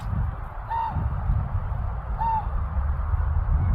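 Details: Common raven in Anchorage, Alaska giving two brief, rounded, rising-then-falling calls about one and a half seconds apart, with continuous low rumbling noise underneath.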